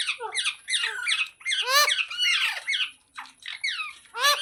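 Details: Green parrot uttering a busy stream of raspy, down-swept squawks and squeaks, loud and fairly continuous with brief breaks.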